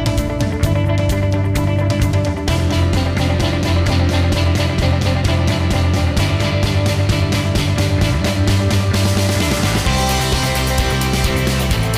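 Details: Only loud rock music with driving guitar and steady beat is heard, with no animal sounds.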